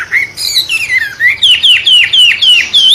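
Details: A wambe bird, sounding like a magpie-robin, used to fire up and teach songbirds: a string of about eight loud down-curving whistled notes, roughly three or four per second, with a soft rumbling background.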